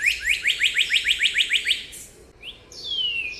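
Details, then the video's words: A cardinal gives a fast run of about a dozen bright, upslurred whistled notes, several per second, then a long clear whistle sliding downward. "cardinal bird call"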